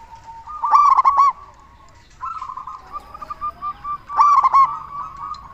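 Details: Local zebra dove with a loud voice, recorded as a lure to make other zebra doves answer: two bursts of quick, ringing staccato coo notes, four to five each, about three seconds apart, joined by a softer drawn-out rolling coo.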